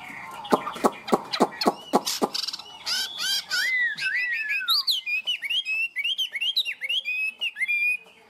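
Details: Chinese hwamei, a tame caged singer known for high song: a volley of sharp clicking notes, then sliding downward whistles and a long string of repeated looping, high whistled phrases.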